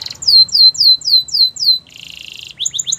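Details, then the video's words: Training song of a canary: a series of clear descending whistled notes, then a buzzy rapid trill, ending with quick repeated chips, high and sharp throughout. "The most popular canary training | Play now, your canary will sing a lot"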